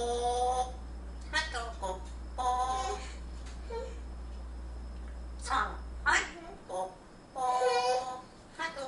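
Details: A pet grey parrot hatched 10 July 2014 sings short, voice-like melodic phrases in bursts during a singing lesson, trading back and forth with a human voice indoors over a low steady hum.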